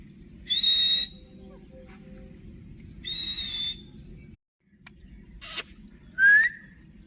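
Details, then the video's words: Indian ringneck parrot, a green talking pet: two harsh, sustained high screeches, a sharp click-like burst, then a quick rising whistle near the end, with a steady low hum in the background. "so Beautiful Talking Parrot Mian Mithu | Cute Parrot voice"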